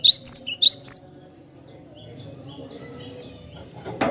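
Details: Cinereous tit, the song recorded for training other birds: four loud high whistled notes in two quick pairs open, followed by faint distant chirps and a knock at the end.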